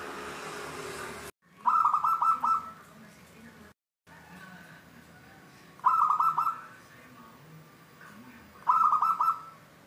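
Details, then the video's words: Local wild zebra dove (perkutut) in the 'Cristal tembus' voice style, giving three trilled, rolling coo phrases a few seconds apart, each a rapid bubbling series of clear notes, after a brief burst of noise at the start. "Contoh suara perkutut lokal Cristal tembus"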